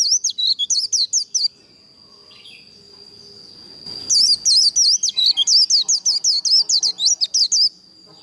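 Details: White-eye singing in the fighting líu style, used to train and provoke birds to sing in contests: two bursts of rapid, high, twisting chirps about three per second, separated by a quiet gap, over a steady thin high tone.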